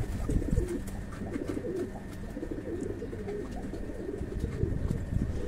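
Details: Low, rolling coos from a group of fancy pigeons kept on a breeding farm, several birds overlapping, over a steady low hum and a few soft knocks.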